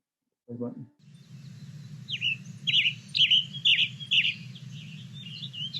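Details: A Western Tanager near Boise, Idaho sings a fast series of hoarse, very buzzy up-and-down phrases, about two per second, over a low steady hum, with a brief voice at the start; finding: Western Tanager.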